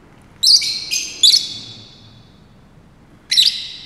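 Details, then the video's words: Male Fischer's lovebird (Agapornis fischeri) at Saarbrücken Zoo, 30 May 2018, singing while dancing: shrill, buzzy chirps and squeaks in a quick burst of four notes, then a pause and one more harsh chirp. "Fischer's lovebird (Agapornis fischeri) is singing a song"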